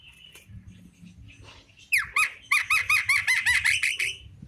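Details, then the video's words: Javan myna singing in the afternoon: after faint background calls, a loud run of about ten sharp, repeated whistled notes, evenly spaced and bright, in the last half of the recording. "Burung jalak kerbau di sore hari||suara jalak kebo full"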